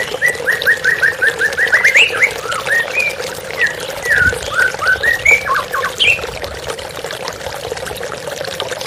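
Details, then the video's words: A white-rumped shama sings over running water in a calming therapy recording: a rapid run of repeated short notes, then varied whistled slurs and chirps, fading to steady water-like background noise. "TERAPI MURAI BATU"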